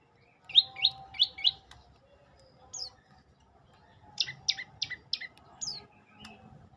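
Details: Olive-backed tailorbird giving three quick high notes, then a brief pause, then a series of four sharp, descending notes and one higher note. Quiet background.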